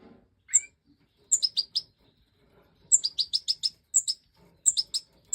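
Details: Goldfinch of the Major form in breeding season, 2024: crisp high chirps delivered in tight bursts of three to six, each note dropping from a piercing top, with clean silences between bursts.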